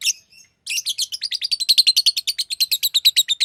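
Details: After two faint opening notes, a green lovebird bursts into a rapid, steady run of shrill chirps, roughly seven per second, continuing to the end.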